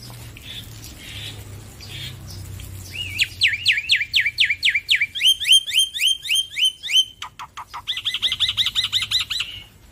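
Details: Loud male black-winged myna song: after quiet rustling, rapid series of whistled notes that rise and fall sharply, changing into quicker chirps, a brief burst of clicks, then a fast run of bright rising whistles.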